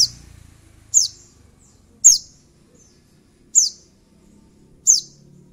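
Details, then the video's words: {'caption': 'Crimson Sunbird (sogon) used as a lure to rile a rival: five piercing, high, downward-sliding chips, repeated every one to one and a half seconds, with a faint low rumble.'} "SOGON GACOR DOR TEMBAKAN SEJALUR"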